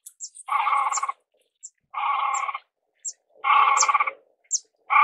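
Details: Great crested grebe giving long, grating, braying calls of about half a second to a second each, three in five seconds. Small high chirps from other birds are scattered between them.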